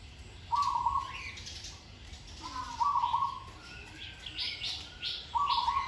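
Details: Zebra dove being trained, singing with a pleasing, well-phrased delivery: three brief purring trilled coos spaced irregularly, with thin chirping from other small birds in between.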